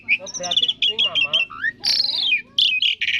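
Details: Varied song of a black-winged starling, known locally as jalak suren: buzzy trilled notes, warbling phrases and a long descending whistle near the middle, over low steady background hum.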